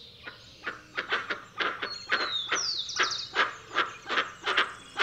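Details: Harsh, nasal honks of a dusky-legged guan in a quick, slightly irregular run, around twelve notes in five seconds, with faint high whistles from other birds.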